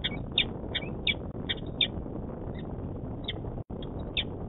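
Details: Adult male peregrine falcon calling at its nest site in Manchester, New Hampshire, February 2018: clipped, scratchy notes repeated at an uneven pace with short pauses, set against constant low background rumble.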